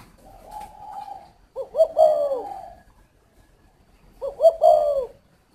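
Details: Spotted dove cooing: a soft level hum, then two throaty phrases of quick rising-falling coos ending in a longer drawn-out note, about two seconds apart.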